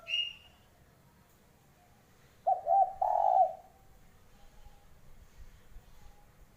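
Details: Spotted dove cooing: a short pulsed low note, then a longer, louder rolling coo in the middle of the clip, followed by faint soft echoes of the same coo, with a brief high chirp from another bird at the very start.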